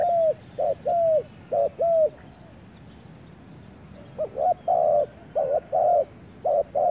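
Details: Spotted dove in a forest giving a few short hollow coos, a pause of about two seconds, then a second burst of louder, slightly rougher coos in quick succession.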